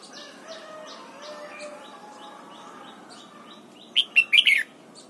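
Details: Morning song of a red-whiskered bulbul in training for double-note singing: faint distant chirps from other birds, then a burst of four loud, rich whistled notes near the end.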